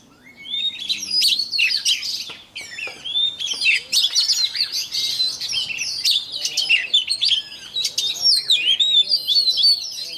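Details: Oriental magpie-robin in morning song practice: a continuous, rich stream of high whistled phrases, chatters and slurred notes with barely a pause, one brief dip near the start.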